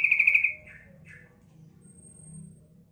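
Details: Female sooty-headed bulbul calling to lure males: the tail of a buzzy pulsed rattle, two soft short notes after it, a faint thin high whine, and low background rumble.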